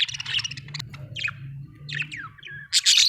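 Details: Budgerigars at home giving scratchy chatter and a few downward-sliding whistled chirps, ending in a loud harsh burst, over a constant low droning hum.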